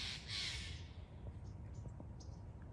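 A Steller's jay gives one harsh, rasping squawk lasting under a second, then falls silent over a low rumble of wind.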